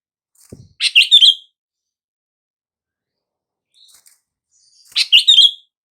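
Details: Sooty-headed bulbul call meant to prompt mute bulbuls to respond: a soft low tap, then a bright chattering phrase, a faint short note, and a second matching phrase about four seconds later.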